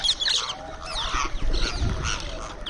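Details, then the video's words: Indian ringneck parrot calling while eating: quick, twisting, chattering notes that slide up and down, delivered in a rapid run over faint low rumbling. "Cute Ringneck Parrot Making Sounds While Eating"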